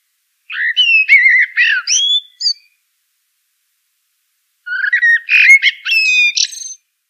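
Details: Common blackbird delivering a pair of warbled phrases of varied fluty notes, the second finishing in a buzzy, high squeaking tail, with a long silent gap separating them.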